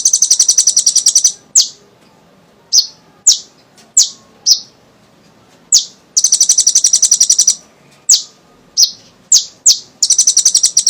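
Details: Sunbird called kolibri ninja singing vigorously, played to lure young sunbirds into song: long dense high trills alternating with single sharp metallic chips.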